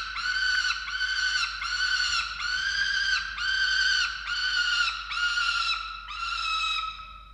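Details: Nest-camera falcons in Orange, Australia, on 13 November 2022, during feeding of chicks: about eight evenly spaced, hoarse, whining calls, roughly one per second, fading slightly at the close.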